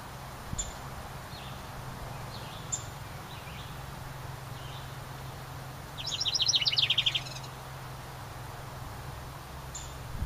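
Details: A house wren, one of a pair nesting in a ceramic birdhouse by the main cabin, bursts into a dense, fast, chattering song lasting about a second between scattered soft chips and quiet background.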